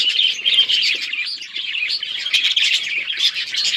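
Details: Budgies chirping while playing with each other, October 30, 2023; steady stream of bright twittering and short whistles, a soft warbled chorus from several birds.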